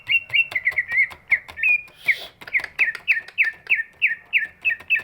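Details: Big greater green leafbird, voice used to provoke reluctant singers: a steady series of short downslurred whistles repeated about three times a second, with one brief noisy burst partway through and clicking sounds between notes.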